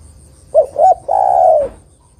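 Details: One phrase from a female spotted dove calling a male, meant for luring: a short low note, a second slightly higher note, then a long, mellow coo falling gradually in pitch.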